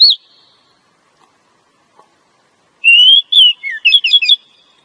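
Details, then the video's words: A female Oriental magpie-robin calls to stimulate a male to sing: a short whistle, a long pause, then a long rising whistle, a falling note and a rapid jumble of high chirps. "suara Kacer betina.untuk memancing Kacer jantan mau bunyi"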